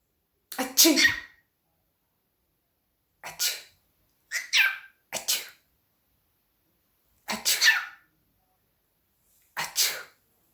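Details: Pet cockatiel copying its owner's sneezes and coughs: six short, breathy, sneeze-like bursts spaced irregularly over ten seconds, with silence between them.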